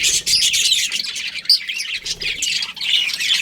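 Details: Budgies, a breeding pair, keep up a steady high chatter of scratchy chirps and a few clear whistled squeaks, hardly pausing throughout.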